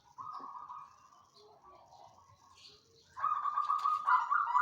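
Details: Banyumili-style zebra dove in a cage, singing readily after settling in. A long purring coo is followed by a quiet pause, then a louder, rolling trilled coo that swells toward the end.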